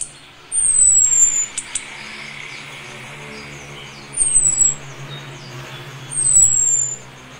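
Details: Orange-headed thrush (Geokichla citrina), call: female calling the male when ready to breed.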